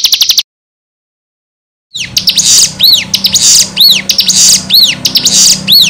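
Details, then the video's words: Ciblek master recording for training and provoking birds to reply. A short high buzzy burst, then silence, then loud arched whistled notes about once a second, mixed with harsh high buzzes. "Pancingan Ciblek Gacor Dijamin bikin Ciblek Langsung Nyaut"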